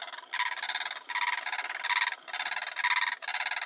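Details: Blue crane (Grus paradisea), a southern African grassland species, giving loud, rattling, nasal croaks, four rolling bursts in quick succession, each under a second long with brief pauses between.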